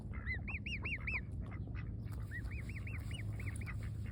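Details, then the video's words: Cygnet grazing fresh grass in the sun repeats clear, high, rising-then-falling peeps in two tight strings, about four notes each, with soft crunching sounds and a low steady rumble beneath. "Adorable baby swan making noise eating fresh grass in the sun"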